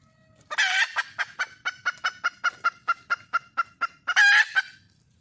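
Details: Wild junglefowl hen seeking a male: an opening loud harsh squawk, a steady train of about fifteen quick clucks, then another loud squawk to close.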